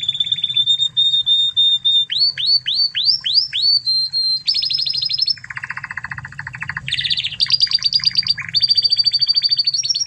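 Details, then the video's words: Spanish Timbrado canary of original Spanish stock, a tutor recording for training other canaries: a clear steady whistled note, then a run of rising slurred notes, a low buzzy rattling roll, and bright fast trills at shifting pitches. "Masteran Kenari Spanish Timbrado Ori Spanyol"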